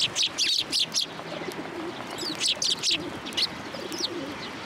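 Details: Sparrows coming to take food set out on a post, alongside white pigeons, at a Tenmangu shrine on 27 January 2023; quick bursts of high, bright chirps in clustered runs, several birds calling over each other, faint low background rumble.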